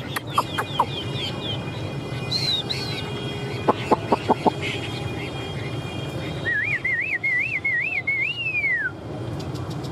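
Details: Hwamei in a fighting-song (hót đấu) display with tail fanned, singing loud, clear whistles: a run of quick falling notes, then a long wavering, rolling phrase that climbs and drops. Sharp clicks and steady low background noise.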